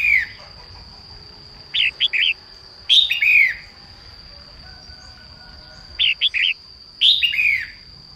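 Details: Female red-whiskered bulbul in morning song to encourage males to sing. Sparse groups of three rounded chirps alternate with longer warbled, downward-sliding phrases, separated by pauses of a second or more, over a faint steady high hum.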